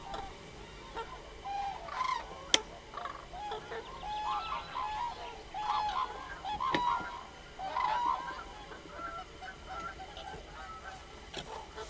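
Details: Common crane calling with a run of short, honking, trumpet-like notes at a steady mid pitch, roughly one each second, against faint background noise and a sharp click.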